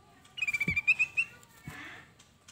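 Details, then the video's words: Flavescent bulbul (kutilang emas) singing vigorously, used as lure and training song for other bulbuls: a rapid run of about eight bright whistled notes on a steady pitch, then a softer buzzy phrase, with two sharp clicks. "kutilang Emas manapun pasti Nyaut kalo dengerin suara burung kutilang Ini"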